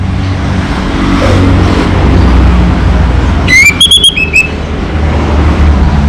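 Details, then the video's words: Orange-headed thrush, local variety, delivering one brief phrase of clear rising whistles and quick slurred notes, partly masked by loud engine and road noise. "Suara ANIS MERAH Lokal Gacor"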